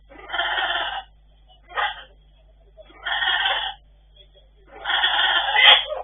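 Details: Talking pet blue-and-yellow macaws, with a sneeze mentioned: three loud raspy, harmonic-rich utterances near a second each, separated by a brief sharp burst, indoors with little background noise.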